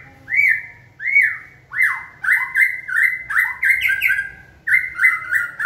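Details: Caged White-rumped shama, trained to sing on a person's cue, gives clear whistled notes that rise then fall, repeated about once a second, then quickens into rapid overlapping whistled phrases; faint low background hum.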